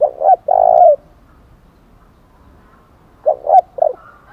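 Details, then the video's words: Fight-challenge cooing by a spotted dove in 'thổ đồng' style: one complete phrase of two short notes and a sustained soft coo, followed after a pause by the opening short notes of another phrase. "cu gáy giọng thổ đồng chuẩn nhất, tiếng chim cu cườm THÚC đấu vang cả buôn làng, cu cườm gáy"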